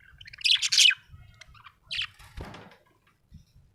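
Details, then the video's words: Happy budgerigar letting out a loud cluster of squeaky chirps, a second short chirp, then a brief rustle like fluttering wings. "happy budgie chirping sound"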